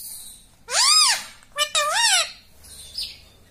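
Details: A pet ring-necked parakeet mimics the word "mummy" twice in a shrill, nasal voice, each rising and falling like 'mum-mi', followed by a faint high squeak.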